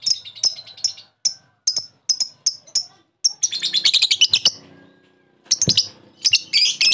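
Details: Lovebird sound played to lure another lovebird into calling, opening with evenly spaced sharp high chirps, then a dense shrill chattering run, a quiet gap, and further bursts of squeaky chatter; a faint low hum in the background.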